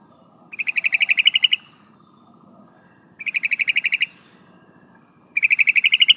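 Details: A female sooty-headed bulbul calls the male with quick rattling series of sharp, high chattering notes. Three bursts of about one second each, spaced by short silences, over faint background hum.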